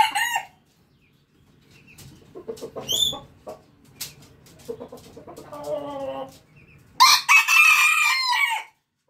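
A rooster gives several hoarse, harmonic crows with brief gaps and some softer clucking between them, ending on a loud, strained crow.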